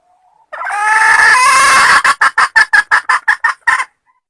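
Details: Forest hen of the red junglefowl in a powerful cackle: one long, harsh, strained note of about one and a half seconds, then around ten rapid, evenly spaced raspy clucks that stop abruptly.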